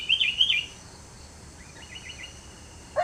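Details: Sooty-headed bulbul giving a short bubbly warbled phrase of dipping whistled notes at the start, then a fainter, softer repeat of similar notes; quiet background otherwise.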